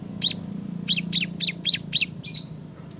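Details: Short burst of ngebren-style bar-winged prinia song: a handful of crisp, high, downslurred chips in quick succession ending with a buzzier note, against a low droning hum.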